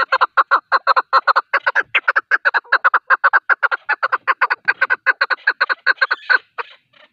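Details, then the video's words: Male partridge call used for hunting: a long run of rapid, harsh clucking notes, about two and a half per second, repeated steadily for seven seconds with slight variation in loudness and no other sounds. "Avcılık için erkek keklik sesi"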